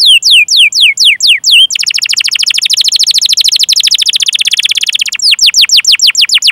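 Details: Canary song as a lure to get other canaries singing: several sweeping downward whistles, then a long fast rolling trill of about three seconds, ending in more clear slurred notes.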